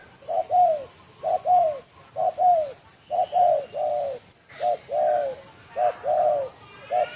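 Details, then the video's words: Spotted dove giving a "đồng thổ sấm" style call used to provoke wild doves, recorded 2020. Mid-pitched coos come in pairs: a short note, then a longer note that falls away. The pairs repeat about once a second with brief pauses. "Tiếng chim cu gáy đồng thổ sấm kích bổi"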